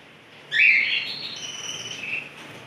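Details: Canary from a stock listing Larquet, Scotch Fancy, frost and silver agate birds, singing actively (gacor), late December 2020: one loud bright high trilled phrase, then fainter sustained whistled tones fading away.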